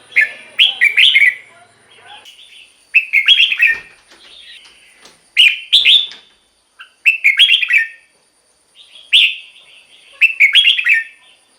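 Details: Caged red-whiskered bulbul singing, played to excite other birds: six short, cheerful whistled phrases, each a quick run of slurred notes, delivered about every two seconds, with faint clicks and a thin high background tone.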